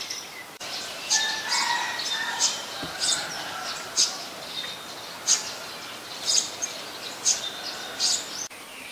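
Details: Olive-backed sunbird in coastal mangrove forest at the Sirinart Rajini centre: a series of thin, high, clipped chips about once a second, over softer mid-pitched twittering and steady ambient noise.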